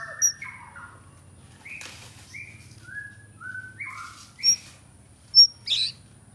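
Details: Contest white-rumped shama with a bowing style, perched on an iron pole and pouring out copied songs of other birds; here sparse sweet whistles and slurred notes are spaced by pauses, with a few sharp high pips and a faint steady hum.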